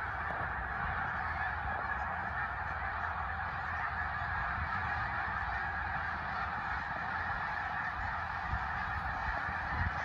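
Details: Large flock of Snow Geese flying over the Eastern Shore, a constant, even roar of countless overlapping honking calls with no break, plus some low-pitched background rumble.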